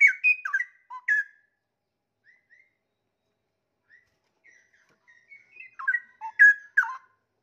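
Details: Straw-headed bulbul kept in a cage, singing a high-and-low song with wild-forest song fill: bursts of loud liquid whistles and warbles, a quieter stretch of scattered short notes, then another bubbling whistled burst.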